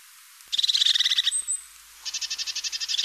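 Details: European crested tit song: a fast, buzzy trilled rattle of closely spaced high notes, a thin whistled note after it, then a second rapid purring trill.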